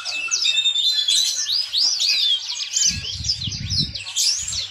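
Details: Caged yellow-fronted canary, a foreign finch admired for its melodious song, sings looping high whistled slurs and twitters, while a burst of low rustling and knocking noise comes midway.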